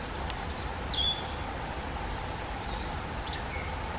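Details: Common Firecrest: very high, thin, sharply down-slurred notes given singly and in short groups, with a brief high rapid series near the end, over a faint low background hiss.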